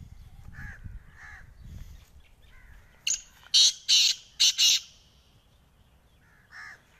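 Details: Black francolin (kala teetar) giving its harsh call: a burst of five loud, scratchy, rasping notes in under two seconds, preceded by softer, hoarse notes from another bird and low rumbling background noise.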